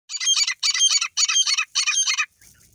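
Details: Grey francolin calling loudly: four harsh, ringing, high-pitched phrases, each about half a second long, given in quick succession and followed by brief quiet.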